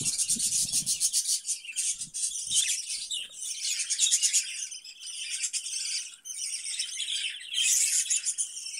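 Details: Budgerigars in a breeding cage give busy high chirping and buzzy warbling, with a few low rustles near the start.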